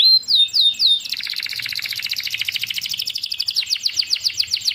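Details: Canary song opening with a few clear descending whistled notes, then breaking into a rapid, rattling trill of closely packed notes that continues steadily to the end.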